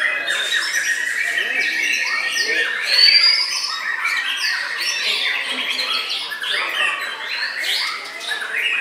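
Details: A white-rumped shama pours out continuous varied song: fast chattering trills, squawky notes and clear whistled slides packed closely together for several seconds.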